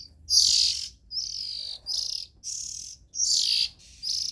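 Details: High, hoarse, hissing calls from Oriental magpie-robin nestlings, some sharp and loud, others softer and longer, spaced by short pauses.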